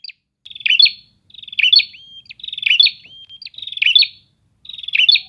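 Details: Prinias answering each other in a lively chorus: a buzzy, rattling phrase ending in sharp bright notes, repeated about once a second, five phrases in all, with a thin rising whistle between some phrases. No other sounds.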